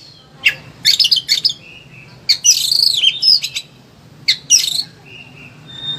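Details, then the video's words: Oriental magpie-robin in agitated song, used to train other birds: short bursts of scratchy twittering and a warbled swooping phrase separated by pauses, with thin soft whistles between bursts and a low background hum. "KACER EMOSI TINGGI BONGKAR SEGUDANG MATERI"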